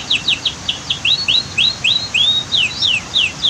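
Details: Canary song used as a tutoring recording, set against rushing waterfall and dam noise: a rapid series of high, sharply down-slurred whistled notes, some with rising hooks, repeated about three per second.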